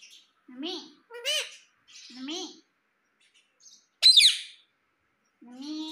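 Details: Indian ringneck parakeet, a pet talking parrot from India, gives low, voice-like syllables in separate phrases with pauses, broken by one sharp, loud squawk.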